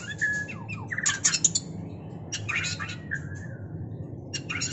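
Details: White-rumped shama in mating, uttering harsh squawky bursts mixed with short descending whistles and scratchy chirps, with pauses between phrases and a constant low hum.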